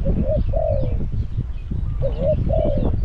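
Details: Caged decoy spotted dove at a trapping enclosure at Song Phi Nong, Thailand, set out to lure wild doves: two low cooing phrases, a short note then a longer drawn coo, given twice, over heavy low rumbling background noise.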